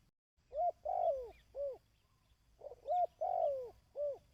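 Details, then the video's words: Mellow dove coos meant for training decoy birds, given in phrases of short note, long falling coo and a closing rounded note, repeated twice in quick succession. "Tiếng Chim Cu|Kích Bổi ( Tập Mồi )"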